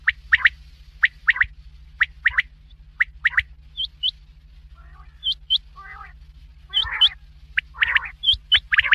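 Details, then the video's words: Black francolin's rhythmic grouped notes, sharp and high, repeat roughly every second, then give way to upslurred squeaky notes and scratchy, grating bursts, with a continuous low hum behind. "Big Quail Sound"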